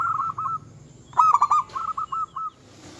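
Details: Local-strain zebra dove in lively song that is said to provoke rivals: a trilled coo phrase, then a louder burst of quick notes and a softer rolling run, with a faint rumble beneath.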